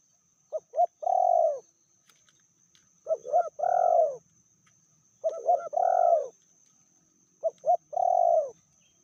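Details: Spotted dove hen, described as more aggressive than the male and medium-voiced, coos in four separate phrases about two seconds apart. Each has two quick short notes and then a drawn-out, slightly rolling coo. Quiet pauses fall between phrases.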